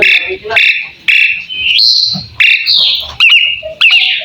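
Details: Asian pied starling singing a full master song meant to prompt other birds to reply: bright harsh whistles, rising slurred notes and rapid twin chirps in short bursts separated by brief pauses.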